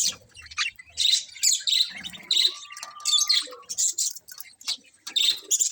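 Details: Colourful budgies in a colony giving bright, high chirps and warbling chatter in rapid bursts, with a faint low whistle drawn out midway and many birds overlapping.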